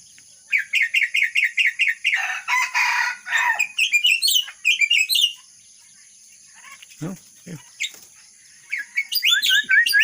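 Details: Myna mimicking the red-whiskered bulbul: rapid runs of short rising chirps near two to four kilohertz, then a harsh buzzy burst, a pause with low clicks, and more sharp upswept whistles at the end.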